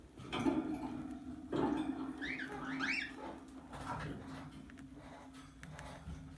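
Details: A tame, talking pet plum-headed parakeet makes two short, raspy speech-like bursts, then a quick run of bright, rising and falling whistled chirps over a steady low hum.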